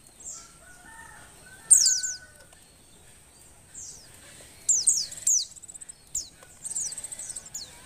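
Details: Breeding-condition female Oriental white-eye gives scattered clusters of high, thin, descending chirps, some in quick trills. The call is meant to encourage males to sing. Faint lower whistled tones sound from another bird early on.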